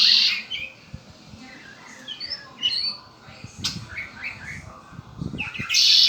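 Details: Buzzy bursts from a pet red-winged blackbird frame a stretch of soft whistles and chirps, with a few low knocking sounds in between.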